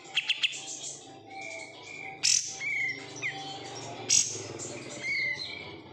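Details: Oriental white-eye kept caged after bulk capture gives three quick high ticks, then sharp bursts and thin whistled slurs spaced through a quieter stretch.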